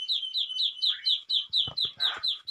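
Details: Pet crested myna being tamed, calling in a rapid series of high, sharp chirps repeated about four times a second, each note slightly descending, with a few soft thumps and faint rustling underneath.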